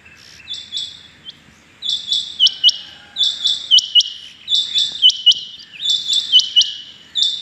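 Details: Rain quail heard on the morning of 6 July 2021, phrases of sharp high double and triple notes following one another almost without pause, a dense, steady, ringing series.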